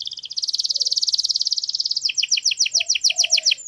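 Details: Canary singing in a garden, delivering a long fast rolling trill of high notes that shifts into a slower series of sharp repeated double chips, with a faint low chirp beneath.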